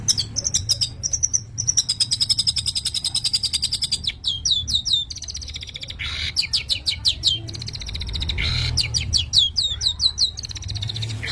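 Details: Long-tailed shrike, known in Indonesia as cendet or pentet, in strong breeding condition, pours out varied high song: fast buzzy trills, then loops of squeaky rising-falling notes in quick series, broken by brief harsh bursts, over a low background hum.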